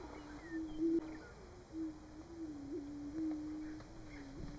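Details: Male greater prairie-chickens on a Nebraska booming ground in March, displaying for mates: a continuous low, resonant humming chorus of overlapping booms, with small rises and wavers and a few faint high bird notes above.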